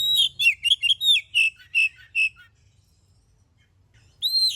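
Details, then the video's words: Oriental magpie-robin in full song, used as a lure to provoke other birds into singing: a quick run of bright whistled and chirped notes, several sliding downward, then a pause and a single rising whistle. "Suara burung kacer gacor paling ampuh buat pancingan"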